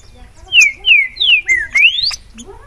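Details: Green-winged saltator singing a short phrase of clear, loud whistled notes, several slurred downward, then a final note sweeping sharply upward, each note about a quarter-second long, over a quiet background.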